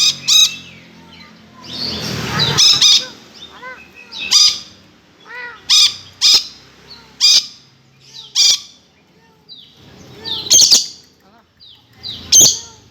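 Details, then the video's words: Lory calling with shrill squawks said to resemble a kuntilanak ghost: a long irregular series of loud, grating screeches and slurred cries, with a brief noisy rustle early on. "Suara burung nuri kaya kunti"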